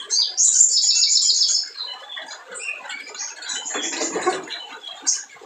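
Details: Spiderhunter singing vigorously as a provoking lure for lazy birds: a fast, bright trill of repeated high notes opens, then scratchy chatter and scattered squeaks follow.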